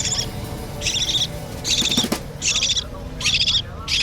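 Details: Budgerigar chicks being hand-fed give harsh, buzzy begging calls in short bursts, about one every 0.8 seconds, each dense and noisy with a clicking, scratchy texture; low room noise underneath.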